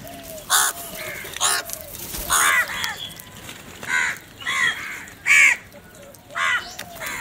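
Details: Crows contesting food, calling with harsh, grating caws spaced roughly every second, some overlapping, against a low background hum.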